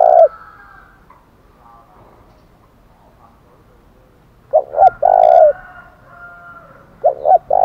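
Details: Thổ đồng challenge call of a spotted dove, given to provoke fighting: the tail of one coo, a full phrase of two short coos and a long coo, then another beginning, over faint drawn calls from other birds.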